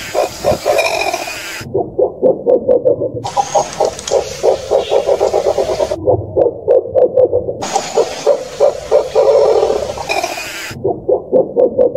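Dusky eagle owl giving a series of low, hollow hoots that quicken into a rapid stuttering run, repeated in bursts over background music.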